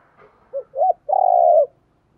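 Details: Spotted dove song for stimulating decoys: a faint opening note, two clear arched coos, then a long, rich coo held steadily before it fades. Quiet background.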